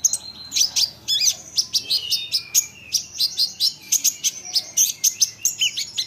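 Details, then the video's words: Olive-backed sunbird singing to provoke other sunbirds to answer: rapid, high, thin chirps and twitters, sharp notes packed several per second, with loud bursts recurring about every third of a second throughout. "Isian Kolibri Ninja, Dengar ini konin lain pasti nyahut gacor doooorrrr"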